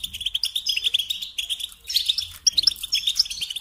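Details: European goldfinch song: a rapid, continuous twittering of bright, tinkling notes with short sharp high accents, delivered almost without pause.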